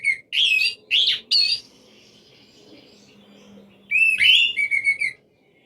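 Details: Orange-headed thrush song used as a lure to prompt silent birds to sing: three loud, rich whistled notes, then a pause over faint low hum, then a quick sweeping phrase with several short repeated whistles.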